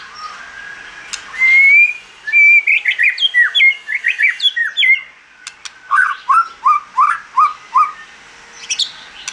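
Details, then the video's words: White-rumped shama in wild-type song: a clear rising whistle, then a fast run of varied chirping, slurred notes, followed by a string of evenly spaced, descending whistled syllables. "Chòe Lửa Hót Giọng Rừng"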